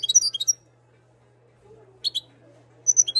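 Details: Moroccan European goldfinch, 2022 bird, giving short clusters of bright, high chirps and twitters with a pause between them, accompanied by a low steady hum.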